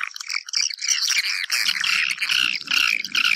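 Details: Swiftlet calls meant to entice swiftlets into a house: thick, squeaky twittering and chattering chirps, swelling louder after the midpoint, over a soft low rumble.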